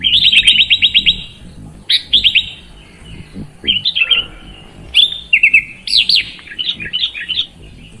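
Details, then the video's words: Sooty-headed bulbul opening with a rapid rattle of about eight repeated whistled notes, then varied short phrases of sweeping and clipped chirps separated by brief gaps, with soft low background noise. "Terapi Burung Kutilang Malas Bunyi Jadi Gacor"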